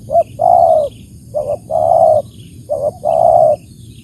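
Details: Spotted dove (tekukur) calling: a short clipped note, then a long rolling coo, repeated three times about every 1.3 seconds. A thin, steady, high-pitched hum runs throughout.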